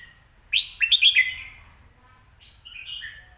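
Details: Red-whiskered bulbul, caged, giving a loud rapid phrase of looping whistled notes, then a softer, lower warbled phrase after a short pause.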